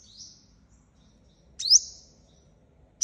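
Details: Sunbird lure call for trapping, the five-colour sunbird of Vietnam: a faint thin note, then a loud sharp downward-sliding chip trailing off, and another abrupt chip at the end.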